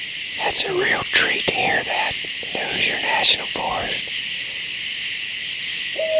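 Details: At night in Hoosier National Forest, a barred owl right above a campsite tent, said to be calling for its mate, gives low, wavering hoots over a steady hiss of night insects while a person whispers nearby.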